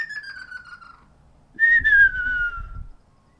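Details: Ruddy kingfisher recorded on 12 April 2019, first of the year, calling back and forth: two loud whistled calls sliding steadily downward. The second call follows after a short pause and carries some low rumbling background noise.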